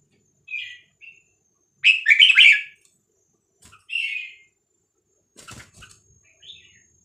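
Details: Red-whiskered bulbul recording played for young birds to learn from and to excite them: several brief, mellow warbled phrases with a clattering flutter of wings or cage noise late on.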